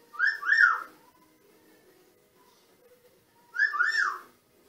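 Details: Pet male Green-winged Macaw kept indoors in Canada, giving two short bursts of arched, rising-then-falling whistled notes with bright overtones, about three seconds apart, separated by near silence with a faint low hum.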